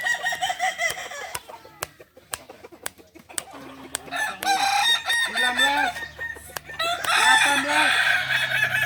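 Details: At a balenggek rooster crowing practice in Ampang Kualo, Kota Solok, sharp clicks and knocks come first. Multi-syllable crows then build, made of many short stepped notes, and grow louder toward the end.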